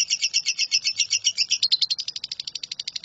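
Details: Lovebird 'nyambung kuntilanak' style song as tutor for shrikes. Doubled, squeaky chirps give way to a quicker, thinner run of high notes repeated about eight times a second.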